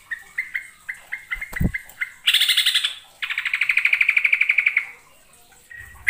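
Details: Lure recording of a yellow-vented bulbul from East Java in full song: a run of short clipped notes repeated evenly, then long harsh buzzy rattling bursts, with a single low thump midway.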